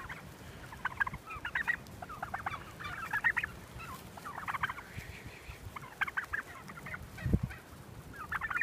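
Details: Flock of heritage turkeys walking with their keepers through a stand of pines toward pasture, calling in repeated rapid rattling gobble bursts every second or two, with soft footsteps and rustling underneath and one low thump.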